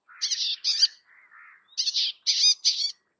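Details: Bay-backed shrike, South Asian shrike, delivering loud rasping double bursts separated by soft low warbling notes, then a series of three or four harsh chattering phrases.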